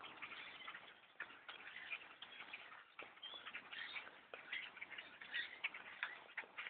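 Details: Blackbirds by the thousands in trees around a hunter's stand while bow hunting, a steady roar of overlapping chatter with scattered short whistled squeaks.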